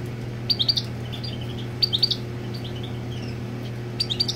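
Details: Territorial European goldfinch while its mate is on the nest; short bursts of three or four bright, liquid twittering notes repeated about every one and a half seconds, with softer chatter between and a low background hum.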